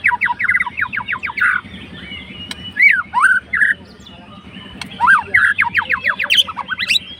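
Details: White-rumped shama, a fighter bird, singing to provoke a rival: rapid series of sharp descending chirps, then varied whistled phrases and rising sweeps, with a steady low hum beneath.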